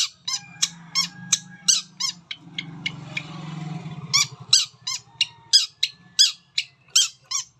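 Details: Long-tailed shrike singing a varied mimicry repertoire, played to prompt other shrikes to sing: rapid high clicking notes, about three a second, with a low buzzing murmur in the middle.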